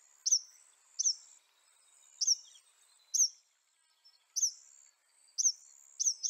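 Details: Northern mockingbird (Mimus polyglottos) of North America singing one short, high, sharply falling note, repeated about once a second, over a steady high buzzing background.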